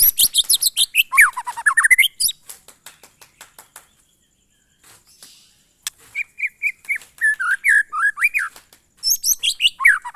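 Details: White-rumped shama in monotonous glondong style: rapid high trills dropping into a swooping U-shaped series, tapering ticks, a short silence, then level whistled notes near the middle range building into another dense burst.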